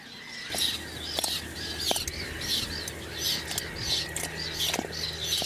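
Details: Whiskered terns recorded in June 2022 in Toledo province, Spain: harsh, rasping calls from several birds, overlapping and repeated about every second or faster, with a low steady hum beneath.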